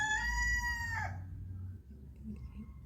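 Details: Rooster crowing before dawn, around 5 a.m. while still dark, heard from a tent outside, roosters communicating: a long, strained, harmonic note dropping away after about a second, then low rumble and faint distant sounds.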